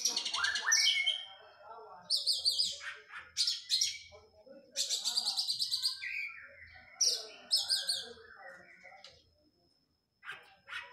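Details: Oriental magpie-robin song during post-moult physical training: rapid bursts of high chattering and buzzy trills with sliding whistles, delivered in phrases a second or two long, separated by short pauses, with a faint low rumble beneath.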